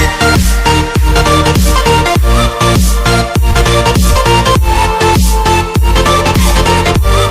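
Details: Loud electronic dance music with heavy pulsing bass beats and synth tones, no animal voices.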